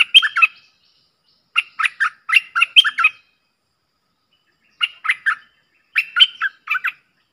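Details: Dueling pair of Streak-eared bulbuls, recorded 30 October 2021, singing lively, bubbling phrases of short chirped notes in four separate bursts with pauses of about a second between them.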